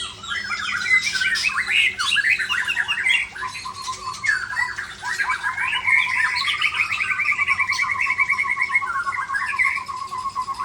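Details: Tail-flicking white-rumped shama delivering its learned repertoire: fast, varied run of whistles and harsh notes giving way to long rapid trills and buzzy repeated chips, nonstop for ten seconds.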